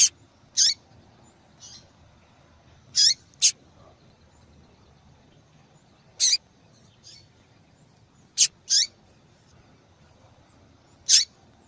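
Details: Calling female yellow-bellied seedeater, used to stimulate a male's song. About a dozen short, very high, sharp notes, some in quick doublets, come at uneven intervals with faint softer notes in between against a quiet background.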